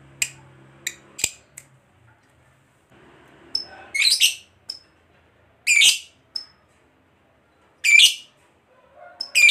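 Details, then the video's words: Fighter lovebird lure sound to provoke singing: short high chips at the start, then loud harsh squawks every two seconds or so, separated by thin whistled notes. "Pancingan Lovebird FIGHTER Ngekek Panjang, Lovebird BAHAN SUKA DIAM Langsung PANAS AUTO NYAUT"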